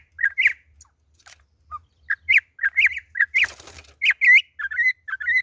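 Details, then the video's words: Campo troupial on its second day, delivering rapid clusters of short, bright, slurred whistles. One burst of harsh, noisy rasp interrupts the run midway. "Concriz imperador na pegada"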